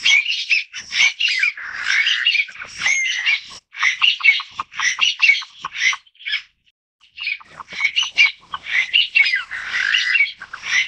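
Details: A family of Taiwan bamboo partridges (Bambusicola sonorivox), endemic to Taiwan's mid-to-low elevation forests, chatter together in loud, harsh, overlapping squawks and chirps that run almost continuously, broken by one brief pause.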